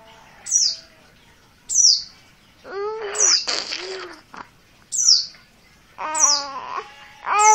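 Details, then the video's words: Untrained oriental white-eye from Merapi in insistent 'ngotot' calling: high, dropping notes repeated about every second, mixed with lower, wavering, bleat-like harmonic sounds and a burst of noise. "Pleci dakun merapi bahan, call ngotot"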